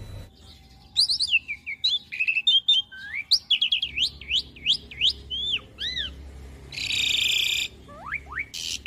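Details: Asian pied starling song for young birds to imitate: tumbling run of sharp upswept and looping whistles, a few widely spaced notes, then a long harsh buzz and final rising chirps.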